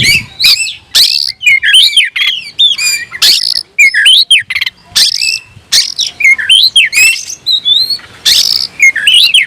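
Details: An oriental magpie-robin, kept as a songbird, challenging an unseen rival: dense, energetic song of loud harsh bursts, whistled upslurs and downslurs, and chattering notes in short runs separated by brief pauses.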